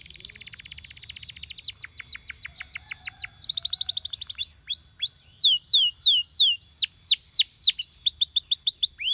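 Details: Canary song built from very rapid fine trills that slow into distinct downslurred whistled notes, repeated steadily, with brief rolling trills returning near the end.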